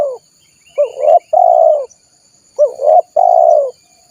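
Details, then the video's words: Spotted dove call used as a lure to attract wild doves: two mellow, mid-pitched cooing phrases, each a short hooked note followed by a longer, drawn-out falling coo, the phrases spaced almost two seconds apart. "SUARA PIKAT BURUNG TEKUKUR PALING AMPUH || PANCINGAN TEKUKUR LIAR"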